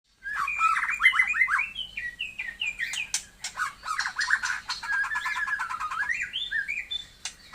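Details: Taiwan-type white-rumped shama, likely caged, singing a rich varied song of whistled, slurred notes around the mid range mixed with sharp clicks and rapid chattering phrases, fairly continuous over several seconds.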